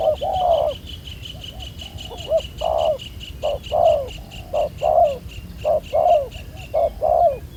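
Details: Spotted dove, wild-caught with a black-spotted collar, cooing at ground-decoy trapping. Repeated low coo pairs, short then long and falling, over a steady high pulsing insect-like buzz in the background.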